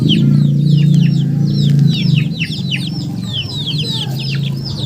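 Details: Rapid high falling peeps from many chickens, overlapping without pause, set against a loud low droning hum that fades partway through.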